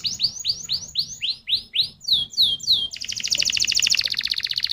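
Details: Canary song as a lure to make other canaries sing: a series of bright, swooping whistled notes repeated several times a second, breaking into a dense, rapid buzzy trill with a faint low hum beneath.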